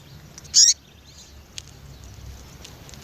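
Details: A single loud, high, buzzy call note from a female Yellow-bellied seedeater calling for a male, followed by quiet background with faint distant chirps.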